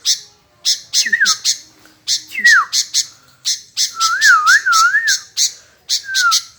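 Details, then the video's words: Kutilang, the sooty-headed bulbul, in full voice: slurred descending whistles, then a longer wavering warbled phrase. Steady rapid clicking ticks sound between and over the notes. "BURUNG KUTILANG GACOOR"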